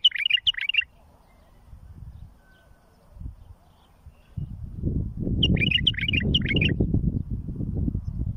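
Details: Bulbul song used to teach fledglings: a rapid jumble of clear chirped notes, repeated after a pause of about four seconds, the second phrase over a steady low roaring noise.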